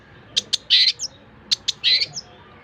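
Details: Long-tailed shrike song meant as tutoring material for other cage songbirds: two sharp clicks, a harsh buzzy burst and a thin high note, repeated twice in the same order.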